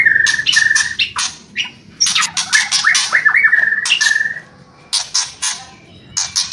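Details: White-rumped shama singing in kretekan and whistling style: steady repeated whistled notes strung in lines, interrupted by bursts of harsh crackling chatter and short pauses.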